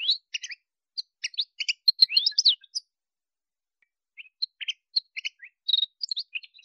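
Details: Male Atlantic canary song with upslurred whistles and quick chirps, a rising sweeping note near the start, then a gap of a second and a half before scattered chirps and a short steady whistle.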